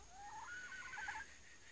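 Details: Female red junglefowl kept as a lure: one quiet, wavering, nasal tonal call lasting just over a second, rising then fluttering, over steady background hiss and a faint high insect-like whine.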